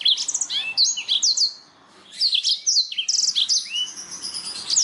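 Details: Clear Black-throated canary song for training canaries and other songbirds: fast high twitters and short trills, a pause of about a second, then renewed rapid chirping with a rattled trill and rising slurs.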